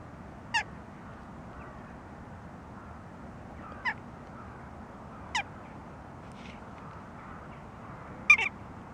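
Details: A Western jackdaw, recorded December 2013, gives sharp, clipped 'tchak' calls, spaced a few seconds apart.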